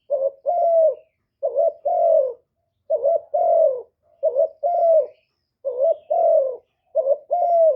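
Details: Low, mellow cooing from a spotted dove kept as a lure for wild doves: short note then long note, the pair repeated every second or so, with no background sound.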